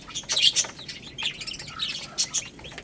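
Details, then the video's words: Baby chickens at rice, a quick cluster of sharp high chirps at the start, then lighter peeps and pecking taps. "Cute Baby Chicken Chirping Sounds"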